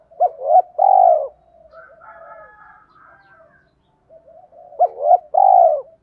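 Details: Spotted dove lure song to stir wild birds into cooing back. Two phrases of quick hoots and a long rolling coo, separated by about three seconds of faint murmuring.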